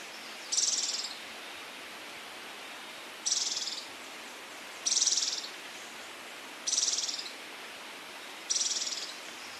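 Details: In Brazil, a Scaled Antbird repeats a high, harsh buzzy note five times, roughly every two seconds, each burst short and rasping, with steady soft background hiss.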